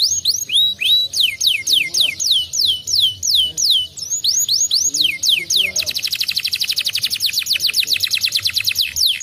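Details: Caged canary singing a prompt song meant to make another canary answer: a run of high, falling slurred whistles, then an even, rapid mechanical trill that carries to the end.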